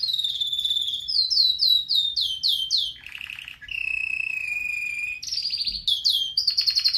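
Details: A pet red factor canary sings a loud, unbroken training song of rapid repeated chirps, rolling trills and long steady whistled notes, switching phrases every second or so, with no other sounds.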